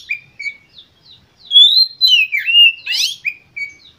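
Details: Oriental magpie-robin singing as a lure for other birds: soft short whistles build to a loud run of sweeping, slurred whistled phrases and a harsh buzzy burst, then quieter short notes.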